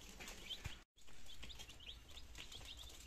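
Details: Domestic chicks, nineteen of them, two days old in Germany in September 2022, starting to eat and drink; brief high cheeping notes scattered over a low background hum, with a short silent gap near the start.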